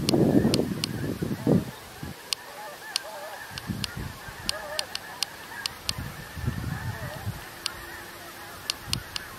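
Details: Masses of snow geese on 17 November: an opening burst of loud overlapping honks fades to intermittent, quieter calls, punctuated by regular sharp clicks.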